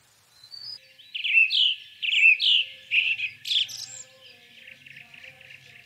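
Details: Sparrow calling: a string of about six loud, clipped chirps at a steady rhythm, each with a quick downward twist, followed by softer, fainter chatter.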